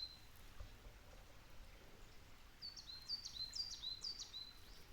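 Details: A coal tit delivers a single short burst of high, thin paired notes, about four quick repeats of a bright two-part phrase near the end, after quiet faint background hiss.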